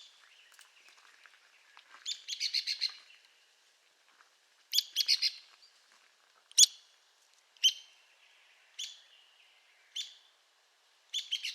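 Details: Arizona woodpecker in its range of southern Arizona, New Mexico and western Mexico: bursts of sharp, high, rattling notes in quick clusters, then single sharp chips spaced about a second apart, on a quiet background.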